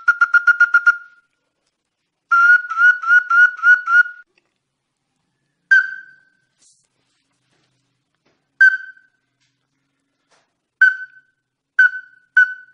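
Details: Ruddy-breasted crake calling as a bird-luring recording: two bursts of rapid, harsh, nasal notes at about five per second, then single clipped notes spaced several seconds apart, against complete silence.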